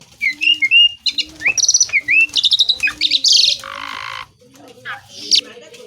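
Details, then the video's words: Asian pied starling singing energetically, full of mimicked fill phrases: varied whistled slurs, chattery bursts and a harsh buzzy hiss, over a steady repeated low hum in the background. "JALAK SUREN GACOR BESETAN ISIAN"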